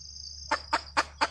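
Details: Female red junglefowl giving four short, harsh clucks spaced about a quarter second apart, with a steady high-pitched whine and low hum in the background.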